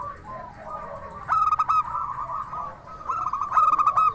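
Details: Lively local zebra dove with a clear 'crystal' voice, sung as a lure to draw replies from other doves. Two bright bursts of quick, ringing clipped coos stand over a bed of softer cooing from other doves.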